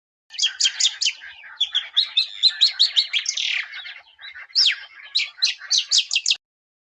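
A weaver gives a fast, dry, buzzy chatter of high, scratchy notes running for about six seconds with rasping slurred phrases and sharp ticking bursts.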